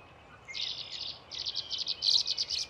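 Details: Nesting male and female tree swallows at Patuxent Research Refuge, Laurel, Maryland, on 14 April 2024: a quick series of bright, high chirps that grows louder and more clipped toward the end.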